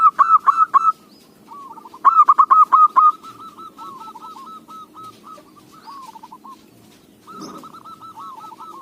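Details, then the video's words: Local zebra dove, song fit for a lure: bursts of loud, rapid staccato coos alternating with longer stretches of softer, rolling cooing trills, plus a brief rustle. "Perkutut lokal suara cocok buat pancingan"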